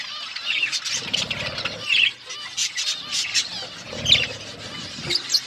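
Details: Budgerigars chirping while eating food: dense, scratchy high chatter with rapid warbled notes, broken by soft flapping and rustling bursts and short quieter gaps.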